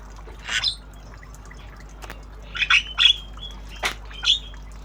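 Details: Tame Javan myna, obyogan style, learning sounds: soft raspy squawks with thin whistled tails, spaced irregularly, a sharp click between, over a faint steady background hum.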